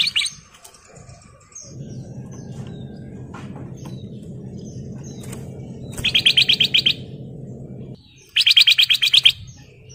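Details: Male golden bulbul in breeding condition calling a female: two bursts of rapid, evenly pulsed whistled notes, partly under a steady low droning hum that fills the middle of the recording.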